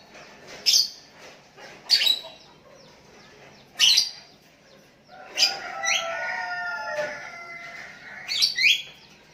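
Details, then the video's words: Sooty-headed bulbul calling to a rival while other bulbuls answer. Sharp, high chirps come every one to two seconds, then a longer warbled phrase of sliding, descending notes, ending in more chirps. "Burung Kutilang Memanggil Lawan pancingan,,dan Kutilang Lain Ikut nyahut"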